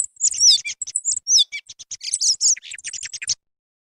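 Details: Song thrush (Turdus philomelos) song, used as a hunting lure sound: a rapid, varied run of high, sharp whistles and chattering notes for about three seconds, then an abrupt stop.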